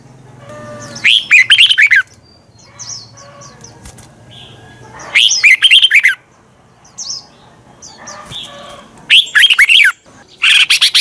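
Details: Red-whiskered bulbul giving its 'giọng xoắn' morning competition song to provoke birds into singing: three rich, rapid warbled phrases about four seconds apart, soft chirps between them, ending in a brief burst of noise.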